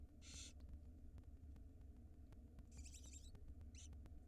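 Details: Tiny barn owl nestlings at feeding time in a nest watched by a live camera in Israel, spring 2022, giving short harsh hissing bursts, two close together and one brief, over a steady low hum.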